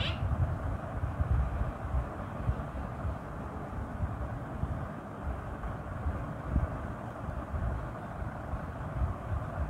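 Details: Steady low rumble of wind or engine noise throughout, with no animal voices present.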